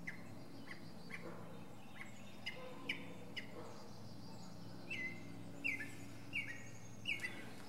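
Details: Fainter passage from a northern mockingbird singing on a pine top: short, sharp chips repeated at uneven intervals, then a run of four rising notes, over a steady low background hum.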